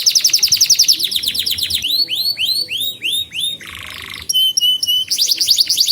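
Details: Tutoring song from a canary, meant to teach young canaries and stir silent ones into singing. It opens with a rapid pulsed trill, moves to looping upswept whistles and a buzzy burst, and ends in bright chirps and another trill.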